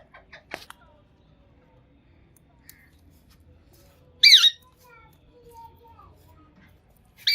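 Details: Green Indian ringneck parrot indoors: soft short chirps early on, then a loud, shrill screeching burst midway, a few faint notes after, and another sharp screech at the end against a quiet room.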